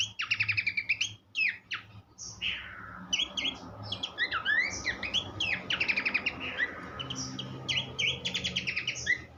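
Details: Horsfield's babbler delivering a varied tutoring song for songbirds: repeated rapid trills, upswept whistles, and chattering phrases in a continuous stream, with a low rumbling background.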